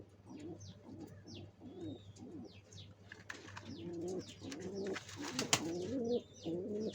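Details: {'text': 'Pigeons preparing a nest for eggs coo in low, wavering phrases that grow busier toward the end. Many quick high chirps from small birds and a sharp crackling noise mix in.'}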